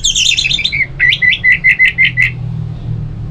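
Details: Orange-headed thrush kept at home in North Bali sings tangled high notes before settling into a string of about seven evenly repeated, clear, mid-pitched whistled chips.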